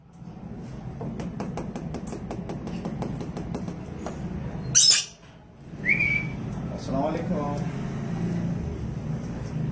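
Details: A lory, described as a rainbow lorikeet, gives a harsh, loud screech, then a short rising whistle and a few nasal squawks, over a steady indoor hum and soft tapping.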